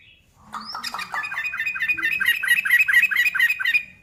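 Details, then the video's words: Sooty-headed bulbul singing to provoke other bulbuls: a rising whistle opens a rapid, harsh, squawky series of repeated notes, roughly two per second, building in loudness. "SUARA BURUNG KUTILANG GACOR"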